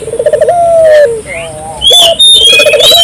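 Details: Energetic Barbary dove cooing to draw local doves into calling, with a rapid pulsed coo sliding into a prolonged low note, then another pulsed coo beginning, over bright whistles and chirps of other birds.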